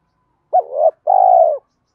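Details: Spotted dove cooing to stimulate other doves: a brief rising-falling note running into a wavering coo, then after a short gap a longer steady, slightly buzzy coo that drops at the end.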